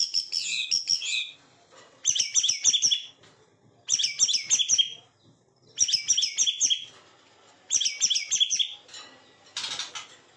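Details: Song of a white-rumped shama: five bursts of rich whistled, warbling phrases about every two seconds, separated by short silences, ending with a brief rustling sound.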